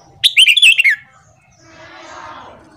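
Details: Red-whiskered bulbul morning training song: a fast warbling phrase of bright, slurred whistles, followed by a soft, broad rushing noise like a passing breeze or rustle.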